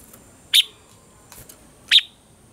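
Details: A Red-whiskered bulbul, in a recording used to train caged bulbuls to sing, gives two short, bright, slurred whistled notes about a second and a half apart over a steady high hiss.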